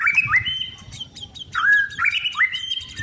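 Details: White-rumped shama of the blorok type in a cage, sunning before contests, delivers two bursts of clear rising whistles layered with thin high notes.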